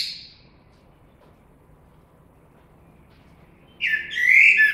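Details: Blackbird song: the tail of a high twittering note opens, then after a long quiet gap a loud rich warbled phrase begins.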